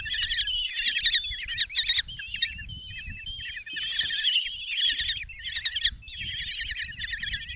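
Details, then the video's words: Begging from five common kestrel young as their mother arrives with a mouse at a nest box in Tiszalök, Hungary, June 27, 2024; clustered trilling squeals with some thin drawn-out notes, rising and falling in intensity. "Common Kestrels | Mom brings mouse in breakfast for five babies"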